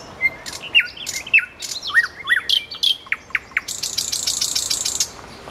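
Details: Song of a common nightingale near a road: clear whistles and abrupt dropping notes, then a string of hard clicks ending in a long, harsh buzzing rattle.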